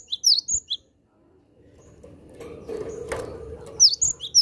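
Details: Cinereous tit calling to wild birds of its kind: clusters of sharp, high chirps at the start and again at the end, separated by a quieter stretch of muffled rumbling and handling noise.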